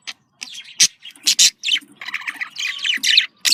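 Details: Budgerigar communication calls: scratchy squawks and harsh clicks mixed with warbled chirps in irregular bursts, plus a faint steady whistle-like tone.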